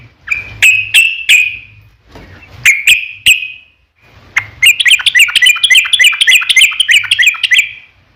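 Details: Lure song of a yellow-vented bulbul, intended to make others answer: a few spaced sharp notes, then a sustained rapid, bubbling run of chirps lasting several seconds.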